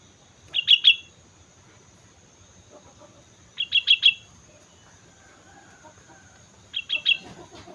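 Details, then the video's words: Sooty-headed bulbul singing energetically (gacor) on Mount Slamet: three short phrases of three or four bright, bouncy notes, repeated about every three seconds against a quiet background. "suara burung kutilang gacor gunung slamet"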